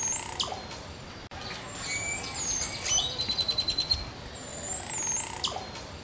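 A Green Oropendola gives liquid, gurgling whistles and high slurred notes, then a quick rattling run of about ten notes, over a soft background hiss.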